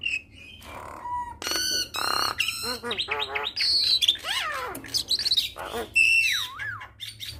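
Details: Javan myna (jalak kebo) in a full-fill training song meant to get other mynas singing. It is a varied medley of loud squawks, buzzy bursts, sliding whistles and harmonic warbles, shifting abruptly between phrases.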